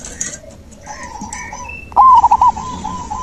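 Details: Song of a zebra dove used to coax a dove that has stopped singing: a soft distant phrase of rolling coos, then a louder, nearer burst of quick staccato coo notes.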